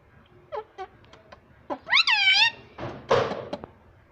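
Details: Talking pet ringneck parrot: a few short downward notes, then a loud, quavering, rising-and-falling cry, followed by a burst of harsh noisy sound and clicks.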